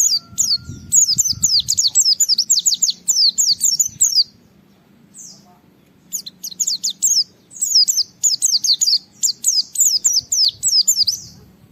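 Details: Japanese white-eye singing to goad a rival and start other white-eyes singing: long rapid runs of high, sliding whistles in two main bursts separated by a few seconds' pause, low murmur in the background.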